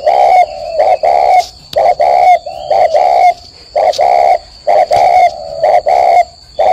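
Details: Spotted dove from a dove garden in Ba Vì, Vietnam, cooing in the morning during a long bout counted at 45 coos: mellow low coos in quick, fairly regular phrases of two or three notes, roughly one phrase per second, with a faint steady hiss.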